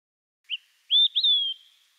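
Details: Olive-sided Flycatcher song: a short high pip, then two loud whistled notes, the last slurring down, the familiar 'quick three beers' phrase that carries over long distances, heard clearly; found in Newfoundland, where it is a species at risk.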